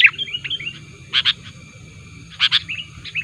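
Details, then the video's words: Lure recording of a sooty-headed bulbul meant to attract wild birds: a few loud, paired sharp chirps separated by quieter, brief whistled notes, with a steady faint tonal hum behind. "pikat BURUNG KUTILANG Terbaik di akhir thn ini aktif menekan lawan"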